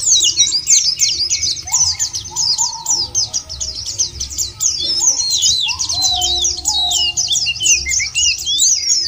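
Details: White-eye song used as a lure to prompt caged birds into full song: a fast, high, run-on twittering chatter without pause, overlaid by several short, lower rising whistles from a second bird.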